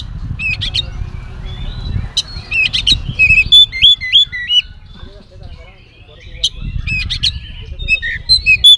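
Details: Oriental magpie-robin singing a full filler-laden song used as a lure to make other magpie-robins answer: clear whistled slurred notes and sharp chirps in bursts, over a steady low rumbling background noise.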